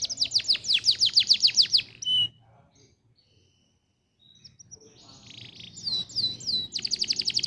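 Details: Canary singing as tutor song for prompting canaries to sing: a fast trill of falling sweeps, about two seconds of near silence, then soft buzzing, rising whistles and another quick trill.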